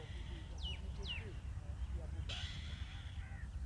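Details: Indian robin at the nest while chicks are fed: two quick falling whistles, then a sudden hissing, buzzy begging burst that fades out, over a constant low background rumble.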